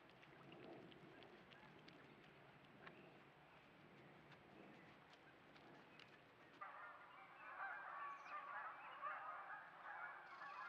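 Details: Canada geese calling on a trail cam in central Alberta: loud, nasal honking bursts, a clamor building in the second half, over a low rumbling background.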